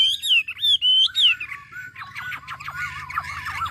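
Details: Chinese hwamei from Ha Giang, Vietnam, singing loudly: clear whistled phrases sliding up and down, then a rapid jumble of harsh, chattering and squeaky notes.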